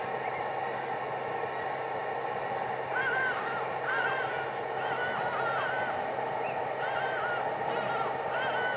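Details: Hadeda ibises calling in a garden in the Lowveld on a hot afternoon, 18 October 2020, give harsh, arching honks in loose repeated series over a steady background hum.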